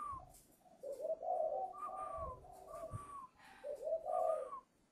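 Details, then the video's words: Spotted dove in Ba Vì, Hanoi, Vietnam, a young bird whose voice has broken, singing strong repeated phrases: a high thin falling note followed by a run of deep, mellow coos, heard three times. "chim vỡ tiếng chuẩn bị lên khách ngày 10 /11"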